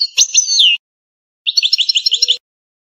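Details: Algerian European goldfinch in canto campero style: a bright slurred whistle sweeping downward, then after a pause a rapid rhythmic trill of repeated chipping notes. No other sounds are heard.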